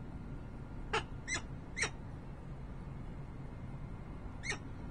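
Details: Peregrine falcon at the nest in Harrisburg, Pennsylvania, 28 November 2020: three harsh calls close together, then a pause and one more, fairly quiet over steady low-frequency noise.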